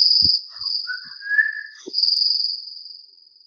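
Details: A White-lored Oriole, which shares habitat with the Isabela Oriole on Luzon, Philippines, gives a short, slightly rising whistled phrase after a few soft notes, over a steady high insect drone.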